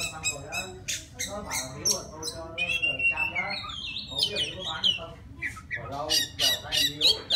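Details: Forest Oriental magpie-robin calling its mate: rapid crackling, scratchy notes run into a sweet whistled passage with rising and falling slurs, then more quick harsh chatter.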